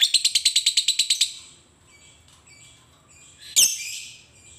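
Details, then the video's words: Lovebird on a training recording for other lovebirds: a fast burst of about ten harsh, clipped high notes over one second, followed by faint thin squeaks and one loud scratchy squawk. "Masteran Suara Lovebird ini mampu membuat Lovebird anda jadi Gacor"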